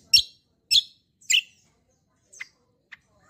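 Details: Kecial kombo (cucak kombo) giving loud, lively song used as a lure and tutor for other birds: three strong high chirps about half a second apart, then two fainter thin notes.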